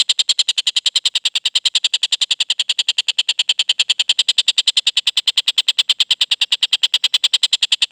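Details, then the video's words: Young collared kingfisher after moulting, giving a long, steady train of harsh, clear, evenly spaced notes at about three per second over a quiet background. "Tengkek Buto lepas trotol suara jernih"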